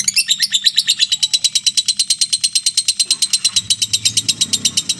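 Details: Long, even lovebird trill in ngekek style, fast shrill pulses without a break, with faint low hum in the background; played mornings and evenings to encourage lovebirds to sing.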